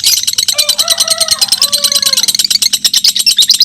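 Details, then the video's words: Two lovebirds of the fighter type, mentil variety, singing against each other in a close contest, each song running past two minutes; rapid, buzzy, high chattering repeated about three times a second, with a few lower tonal lines partway through. "PERSAINGAN KETAT🔴 2 LOVE BIRD FIGHTER MENTIL DURASI TEMBUS 2 MENIT"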